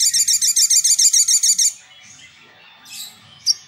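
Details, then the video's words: Sunbird song meant to lure and provoke rival birds: a fast, even trill of about a dozen high, ringing notes lasting under two seconds, then two brief thin chirps. "SOGOK ONTONG GACOR DOR TEMBAKAN PANJANG SUARA JERNIH"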